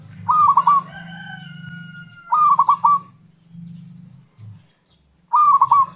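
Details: Local zebra dove singing, used as a lure to attract and trap wild doves and to coax lazy singers. Three phrases of rapid, stuttering cooing notes, each about a second, with a long steady whistle and a low hum between them.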